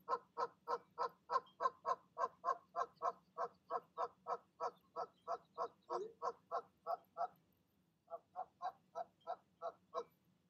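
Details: Goose family at the nest in the evening, parents calling the goslings to leap down; a long steady stream of repeated nasal honks for seven seconds, a brief pause, then the honking resumes.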